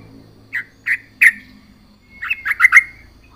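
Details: Yellow-vented bulbul, gacor style with full isian: three spaced, slightly harsh chirps followed by a tight burst of four bubbly notes, with a faint low hum beneath.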